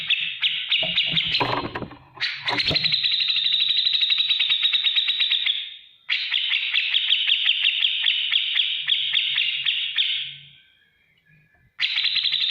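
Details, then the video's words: Grey-cheeked bulbul (cucak jenggot) in full gacor song, a ngetik ngipik style used as a tutor for other cage birds: long, dense, rapidly ticking buzzy chatter in sustained runs several seconds long, with a brief rustling knock early on. "masteran cucak jenggot gacor beset ngetik ngipik"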